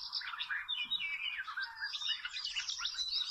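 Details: Wild Oriental magpie-robin at a trapping site with small ropes: a rich, continuous warble of quick whistled and scratchy notes, sliding up and down, with a soft low knock near the first second.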